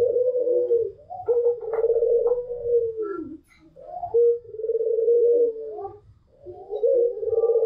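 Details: Barbary doves, a white pelung long-cooer with a local dove: sustained mellow coos that fall slightly at the end, repeated three times, with a few faint clicks and short higher notes between them.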